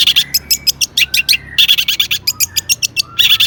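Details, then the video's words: Long-tailed shrike in emotional, lively song full of imitations, intended to prompt other shrikes to sing: harsh buzzy chatters in quick groups, with faint thin whistled slurs in between. "burung cendet gacor EMOSI MEWAH buat PANCINGAN CENDET AGAR BUNYI bikin BURUNG PENTET GACOR NYAUT"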